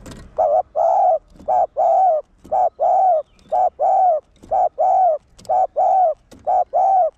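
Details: Spotted dove, a caged decoy male singing the one-ending style used to rouse other males. Low hooting coos run in quick pairs, a short note then a longer one, about a dozen notes over seven seconds.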